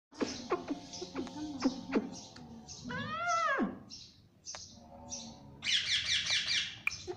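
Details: Pet ringneck parrot talking, repeating "mummy": harmonic voiced syllables with rising-falling arched notes, interspersed with regular short high chirps and a harsh buzzy burst near the end.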